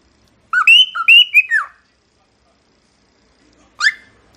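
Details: A cockatiel gives one phrase of short up-and-down whistled notes ending in a falling slur, then after a silence a single sharp rising chirp.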